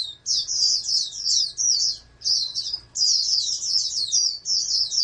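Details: High, fast warbling twitter from an oriental white-eye bred for song contests, in two long run-together phrases split by a short pause; light background hum.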